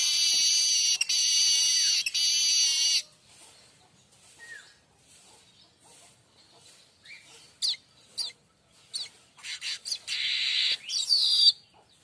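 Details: Streaked weaver recorded as a master song for caged songbirds like magpie robins and shamas; a long wheezy buzz gives way to near silence, then scattered sharp notes and renewed harsh buzzing bursts near the end.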